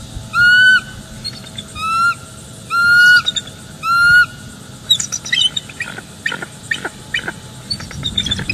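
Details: Bald eagles at a nest in northeast Florida, filmed by a live nest cam in late morning. The female tells the perched male he is close enough. Four drawn-out squealing calls about a second apart, then quick fainter chattering notes.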